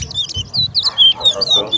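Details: Competition song of a chestnut-bellied seed finch, called towa towa, West Coast versus West Bank: clear, high whistled slurs and quick twitters following one another closely, with faint low thuds beneath.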